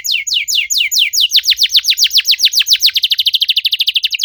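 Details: Canary singing a fast run of loud downslurred whistled notes, the phrase gradually speeding into a rapid trill; no other sounds.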